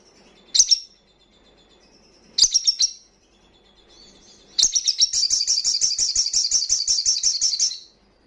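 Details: Wild crimson sunbird singing loudly, a recording meant to rouse breeding condition and aggression in untrained sunbirds: two short clusters of sharp, very high chirps, then a fast, even, buzzy trill of rapidly repeated notes lasting about three seconds.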